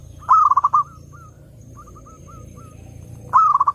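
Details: Song of a zebra dove, used to attract other doves: a loud quick stuttering phrase, several soft spaced coos, then the fast rattled phrase again at the end.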